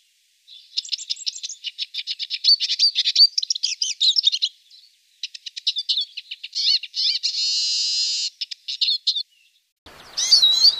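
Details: Goldfinch song in long rapid streams of clicking, tinkling twitters, with a buzzy, drawn-out trill near the middle and a brief louder phrase at the end.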